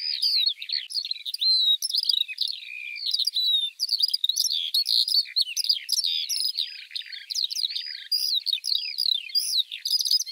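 Eurasian Skylark pouring out an unbroken, high, fast stream of chirps, trills and twittering phrases with barely a pause; no other sounds.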